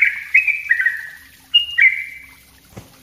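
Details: Yellow-vented bulbul lure recording: a few drawn-out whistled notes, each gliding slightly down, in two short bursts separated by a pause, ending with a faint click.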